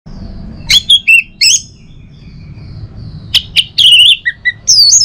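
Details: Caged orange-headed thrush singing in the morning in North Bali, used to stimulate other birds to sing: loud whistled phrases with sliding, slurred notes and quick chirps, separated by short pauses, over a low hum.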